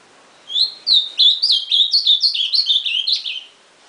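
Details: A singing ultramarine grosbeak: after brief silence, a rapid three-second string of sweet whistled, slurred syllables, roughly three per second, ending abruptly.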